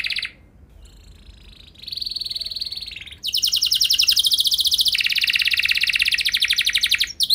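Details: Canary song meant to train other canaries: a soft steady tone, then a sustained whistle, then a long fast rolling trill changing pitch, with a faint background hiss.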